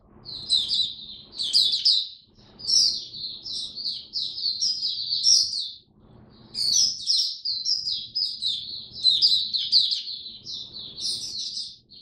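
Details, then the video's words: High-pitched twittering song of a kept oriental white-eye during cold rainy weather, October 2022: lively runs of rapid squeaky notes in bursts separated by short gaps near two and six seconds, over quiet low room noise. "Mata Puteh Buka Sing Raja"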